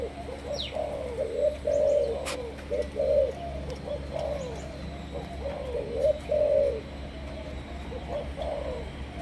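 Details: Spotted dove of Malaysian stock, trained as a decoy, repeating low cooing phrases with drawn-out central notes every few seconds, a sharp click and faint high chirps in the background, steady hum beneath.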